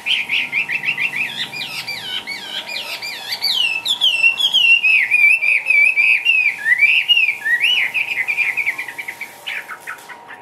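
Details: Caged hwamei, sold as a lively dancing bird, starts with quick stuttering whistled notes that swell into a loud, sustained, wavering warble, fading to scattered chirps at the close; low hum underneath.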